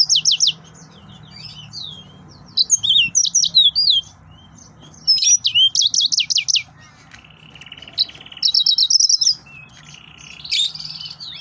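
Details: Long, varied outpouring from an excited male yellow-fronted canary: quick bursts of high sweet chirps and slurred whistles, a buzzy trilled passage near the middle, then more rapid ringing notes.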